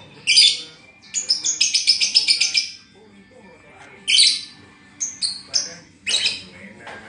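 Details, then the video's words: Moulting lovebird with a song described as short-circuited: a sharp opening squeak, a rapid string of scratchy high chirps, then scattered single harsh notes. "Lovebird ambrol /mabung konslet"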